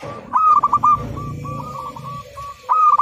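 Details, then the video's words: Local zebra dove singing on a training master recording: a loud trilled cooing phrase, then softer level coos, then another loud bubbling phrase, over a low rumbling background. "Perkutut Lokal Gacor, Masteran Anti Gagal"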